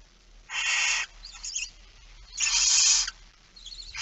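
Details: Barn owl begging at a 06:57 feeding on 13 September 2019: two quieter rasping hisses, about half a second each, with softer chittering fragments between them over a noisier background.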